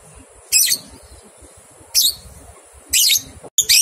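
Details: Lovebird ngekek song for training two-month-old young lovebirds: three harsh, broadband chattering bursts about a second apart, the last one longer and denser, with a brief dropout near the end.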